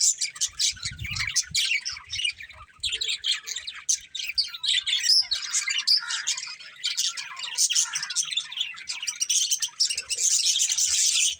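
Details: Pet budgerigars keep up a busy stream of bright chirps, squeaky warbles and rasping notes, growing louder and fuller toward the end, with a few low knocks early on.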